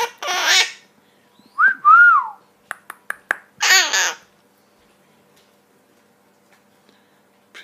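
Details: Twelve-year-old female Hahn's macaw, a rescue kept indoors, giving harsh nasal squawky utterances and a rising-falling whistled phrase with short clicks between, in a quiet room.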